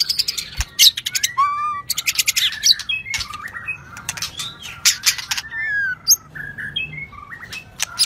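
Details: A shrimp-tail White-rumped shama sings 'rít thuốc lào' style, alternating clicky bursts with clear level and rising whistles and short warbled phrases, loud and varied throughout.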